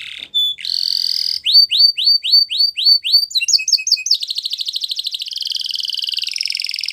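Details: Morning song of a yellow canary: a single thin note, a buzzy burst, then six looping rising whistles, a few doubled chirps, and long fast rattling trills that run to the end.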